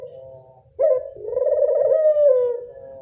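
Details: Local Barbary dove recorded as a lure to attract doves: after a faint low hum, a sharp short opening note is followed by a long, rolling, throaty coo that holds steady and then gently falls.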